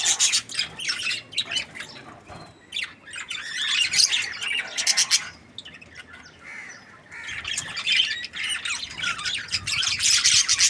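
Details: Contented budgie chirping in bursts: bright scratchy warbles and fast tweets, a lull around the middle, then the lively chatter builds again toward the end.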